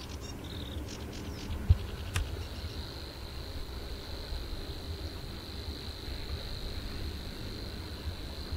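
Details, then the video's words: Savi's warbler (Locustella luscinioides) reeling: a few short ticking notes, then a steady, high, insect-like reel running unbroken for about six seconds, over low wind rumble. "Snor aan het snorren."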